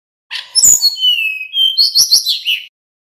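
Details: Male Little pied flycatcher giving a 'nyeklek' lure song meant to prompt other flycatchers to answer. A sharp click opens a long, high, drawn-out whistle, followed by a quick run of bright, chattering twittered notes.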